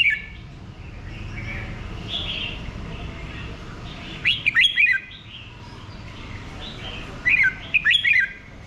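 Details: Red-whiskered bulbul delivering two bright, bubbly phrases of four quick notes each, about three seconds apart, with faint chirping from other birds earlier and a low background hum.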